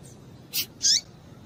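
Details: Female double-collared seedeater call meant to excite males: two brief high notes, a sharp click-like chirp followed by a longer bright note that slurs downward at its end, with quiet between.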